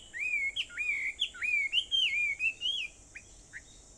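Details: On Aobayama in Sendai, Japan, at 4:30 in the morning of 21 July 2014, a bird sings a phrase of clear wavy whistles, about two per second, trailing off into a few short, quiet notes.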